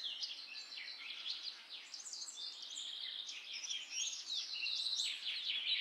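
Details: Common myna (Indian myna) chatter: a busy, continuous stream of squeaky chirps, trills and short whistles that grows slightly louder toward the end, heard over a soft background hiss.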